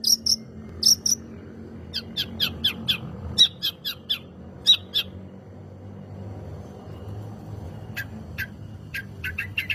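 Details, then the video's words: Long-tailed shrike lure song to prompt other birds to sing: scattered high chips and harsher scratchy notes in short groups, a quiet stretch, then a final cluster of sharp calls. "Burung Cendet Gacor "Pancingan Cendet Super Ampuh""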